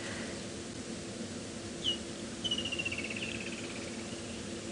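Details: A distant woodland kingfisher (Halcyon senegalensis) at sunrise on December 12, 2016, in a South African game reserve gives a sharp high note, then a ringing trill that runs briefly downward, over a steady hiss.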